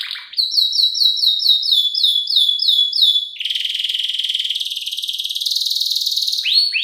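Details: Canary, a vigorous singer, with a lure and tutor recording in the filler song style, possibly a female luring a male: a quick run of downslurred notes, about four per second, then a dense buzzy trill and a faster rattling roll.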